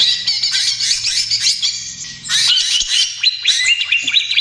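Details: Greater green leafbird at the young trotol stage in full, lively song meant as a lure and therapy for other birds: dense, scratchy high chattering and quick down-slurred notes, with a faint low hum early on.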